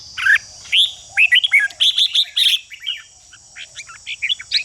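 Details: Red-whiskered bulbul giving harsh ché calls meant to stimulate other bulbuls into fighting song: rasping, chattering notes in quick irregular bursts, louder at the start and fading later, over a steady high hiss.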